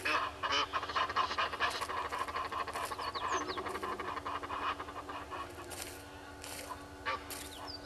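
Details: Early morning on 25 July 2021 at Gowrie dam, Djuma Game Reserve, South Africa: a red-billed hornbill looking for food gives a fast chattering cluck series that fades, with short high chirps of other birds.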